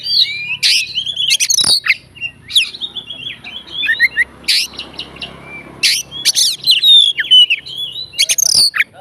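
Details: A fighter Oriental magpie-robin sings to provoke rival magpie-robins, giving loud bursts of harsh chattering notes and sharp chips, then a long flowing phrase of sweet slurred whistles.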